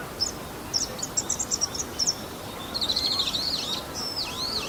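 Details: Male bull-headed shrike imitating other birds' calls, recorded 28 March 2015 on a Canon PowerShot SX60 HS; a quick run of thin, high chirps gives way to a jumbled burst of twittering and sharp, downslurred squeaky notes over faint background hiss.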